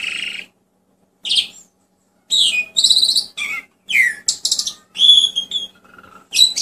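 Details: A caged Asian pied starling gives scattered bursts of song: grating chatters, downslurred whistles and clicks, with pauses between phrases and a soft background hum.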